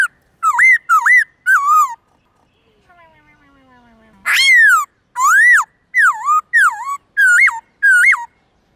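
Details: Morning forest-voice song of a white-cheeked laughingthrush meant for teaching young birds: bursts of looping, ringing whistles, a quiet pause with faint sliding tones, then a long series of rising-and-falling whistled phrases.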